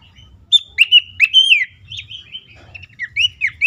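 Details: Abbott's babbler calling, used to stimulate stressed caged birds to sing. Quick high whistled notes tumble in fast succession, some slurred downward, with a short gap midway. Faint low hum.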